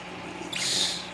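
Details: A newly acquired pet-store budgerigar, one of two new budgies, gives a brief, scratchy high chirp after a moment of quiet room sound.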